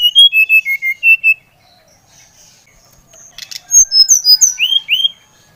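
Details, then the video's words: Lively Bali brown-chested jungle flycatcher song, used to spur other birds into singing: a quick string of clear whistles dropping in pitch, a quiet gap, then a second burst of sweeping, slurred whistles. "Kicauan SRDC Bali Gacor Merangsang srdc Bahan agar cepat Ngeplong Gacor"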